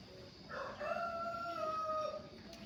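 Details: Distant, faint chicken crow, melodious, one drawn-out harmonic tone lasting about a second and a half, heard through a steady background hiss and low rumble.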